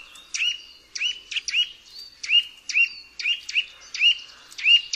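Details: Eurasian nuthatch (Sitta europaea), call.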